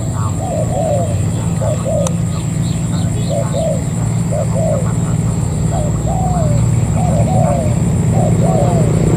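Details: Spotted dove, a wild-caught bird used as a ground decoy, gives paired soft coos repeated in bursts every second or two, with a strong low rumble and a steady high-pitched hum throughout.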